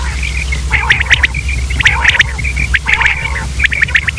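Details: Common quail (Coturnix coturnix) calls: quick three-note bursts, sharp and liquid, repeated about once a second over a low steady hum.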